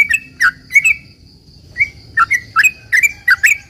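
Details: Lure song of a sooty-headed bulbul, a long rapid phrase meant to make other bulbuls call back: bright chirping double notes, a brief pause, then a fast run of bubbly rising-falling notes over a faint constant high tone.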